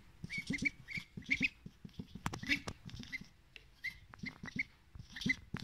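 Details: Pet duck, a male, begging for more food after eating salad at breakfast; thin, high piping calls around a steady pitch, given in quick pairs and short bursts, with soft low clicks and pecking sounds beneath.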